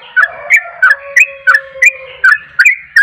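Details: Javan pied starling, described as singing loudly and persistently, gives a chattering song of clear whistled notes repeated about three times per second, each with a sharp high click, over a steady lower drone.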